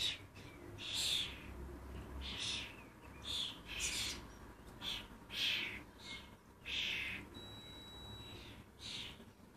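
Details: Common starling fledglings in Lancashire, excitable and never leaving their parents alone, give a series of about ten hoarse, hissing calls less than a second apart. A brief thin whistle-like tone is also heard.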